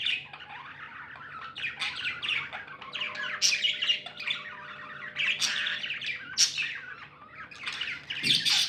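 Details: Several happy pet budgerigars chirping: a busy, lively chatter of bright twittering notes and squeaks, with sharp louder peaks scattered throughout.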